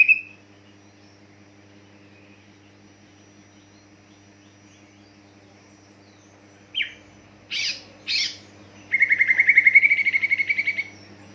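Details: Greater green leafbird singing as a lure to set other leafbirds singing: after long quiet, a high downslurred note, two loud rasping bursts, then a rapid, even trill of bright high notes lasting about two seconds, over a faint low hum.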